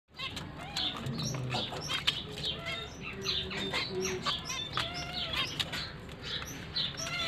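Zebra finches give busy, overlapping nasal beeps and short chirps, with a few wing flutters.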